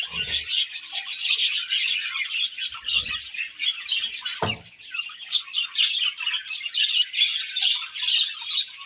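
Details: Breeding-season budgerigars keep up lively, nonstop chirping, with rapid scratchy twitters and clear squeaks woven together and one sharp tap in the middle.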